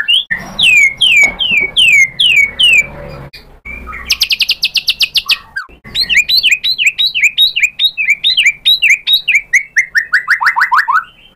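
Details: White-rumped shama song used as a lure to provoke a rival into answering: loud series of descending whistled slurs repeated rapidly, then a dense buzzy rattle, varied sharp chips and a final long falling whistle.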